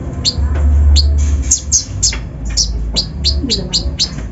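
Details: Kolibri ninja (konin) lure song, a coarse full-repertoire song used to provoke other birds, heard as high sharp chips and short bursts repeated irregularly over a steady low hum.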